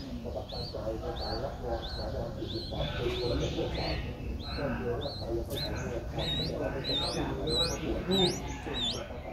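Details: Streak-eared Bulbul nestling aged seven days, Ubon Ratchathani, Thailand, 9 April 2023. Short rising squeaky notes repeated steadily over a constant low hum and rumble, growing sharper and higher toward the end.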